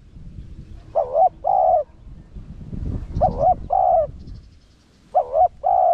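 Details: Spotted dove, Rặc Đồng voice, cooing to draw wild doves closer: three doubled phrases, each a quavering coo followed by a longer flat coo, over soft low rumble.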